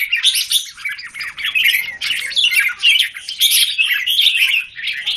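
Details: Several caged red-whiskered bulbuls in Singapore, 17 January 2019, one bird against a group; harsh, squawky chatter mixed with warbled notes, packed densely and rising and falling in loudness.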